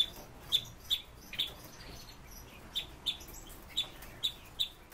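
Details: Pet Red-billed leiothrix in captivity uttering crisp, high single chips, about nine over five seconds, with a quiet gap in the middle and low room noise throughout.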